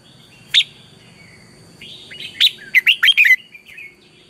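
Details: Red-whiskered bulbul singing a morning song, used as a lure voice for training birds: a lone sharp note, then a burst of rapid warbled, slurred whistles with quick rising and falling notes. A faint steady high tone runs throughout.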